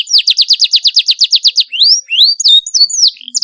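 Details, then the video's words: Canary song played to teach young birds: a regular trill of downslurred notes about five per second, then rising whistled sweeps and short falling slurs. "CUIT CUIT PALING AMPUH MERANGSANG BUNYI PAUD BELAJAR BUNYI"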